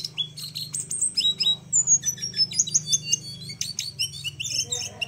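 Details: Flowerpecker master song meant for training other cage birds. High sharp chips and a long thin descending whistle lead into rapid jumbled high twittering with brief buzzy notes, over a faint low hum.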